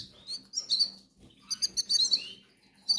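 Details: Hungry goldfinch nestlings begging, tagged Canary Islands: short bursts of thin, high chirps, sparse early, then a rapid cluster of sharp tweets in the middle and one more burst at the end.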